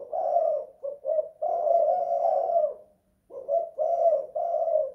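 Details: A spotted dove indoors sings its 'kuk 2 / guk 1' coo: a sustained, wavering low phrase of joined notes, a short silence, then a fresh group of three soft coos.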